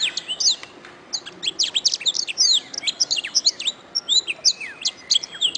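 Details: Master recording of a canary for teaching other birds: fast, high, buzzy chirps and swooping whistles pour out almost without a break, with a few longer flat notes woven among the trills.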